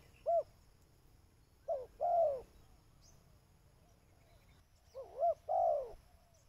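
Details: Spotted dove call meant to lure birds: a lone arched coo, then two phrases of soft low cooing, each a short note followed by a longer falling coo, over quiet low background noise.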